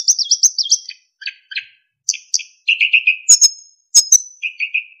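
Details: Narcissus flycatcher master song with fills and clear whistles from a kept bird: a quick run of high looping notes, harsh low buzzes, repeated lower whistles, sharp high whistles and a closing low whistled series.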